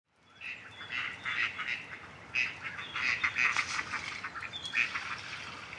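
Gadwall giving a run of short, nasal, reedy calls in quick irregular bursts, several overlapping, over a faint steady background hiss.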